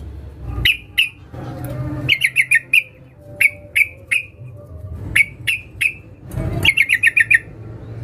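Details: Sooty-headed bulbul, a female calling a male, used to lure males: scattered single sharp notes broken by quick bursts of four or five chirps, over light low background noise.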